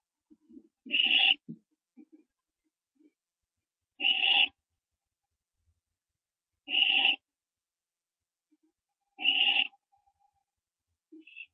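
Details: Barn owl owlets during branching before dawn, 15 September 2011; four loud harsh hissing screeches repeated every two to three seconds, each about half a second long, with soft shuffles between.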